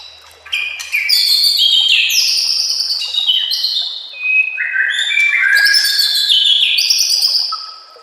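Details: White-rumped shama (murai batu) master song for training: loud rapid phrases of slurred whistles stepping downward, sharp clicks and trills, a short pause, then another bright cascading phrase.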